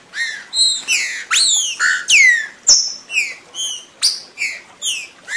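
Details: Green-winged saltator song used as a stimulator to prompt other birds to sing: a steady run of loud, clear slurred whistles, many sharply falling or rising, repeated roughly twice a second in varied phrases.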